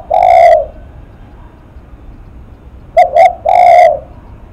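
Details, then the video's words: Spotted dove giving "lắc mặt" cooing: a drawn-out mellow coo ends one phrase, then after a pause a full phrase of two quick short coos and a longer hoarse coo; otherwise quiet. "Cu Gáy Lắc Mặt"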